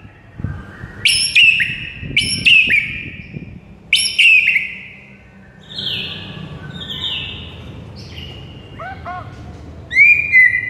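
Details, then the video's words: Morning song of a white-rumped shama, played as a training recording to stir a silent bird: loud sharp whistled phrases with high overtones, then long level whistles and a closing upslurred note. "Murai batu BISU seketika NAIK EMOSI dengar MASTERAN PAGI ini"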